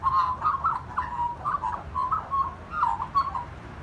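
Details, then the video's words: Magpie singing: a run of short fluting, warbled phrases with quick pitch breaks, mid-pitched and clear, repeated for about three and a half seconds over low background rumble. "Magpie singing"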